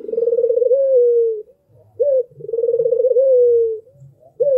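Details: Albino Barbary dove (burung puter) giving its melodious song: a long, throbbing, purring coo that glides slightly downward, then a short rising note. The pattern repeats about every two seconds. Soft low thumps sound in the background.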